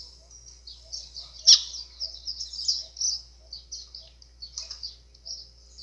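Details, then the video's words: White-throated seedeater in azulão-style song, meant to fire up birds: continuous high twittering and warbled notes with one sharp loud chip, over a faint low hum. "GOLINHA CANTO AZULÃO COM CHAMO PARA FOGUEAR"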